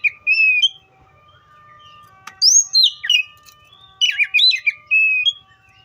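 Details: Oriental magpie-robin (Copsychus saularis) song: an opening whistled phrase, a pause, then lively bursts of high sliding whistles and chirps, with faint steady tones beneath.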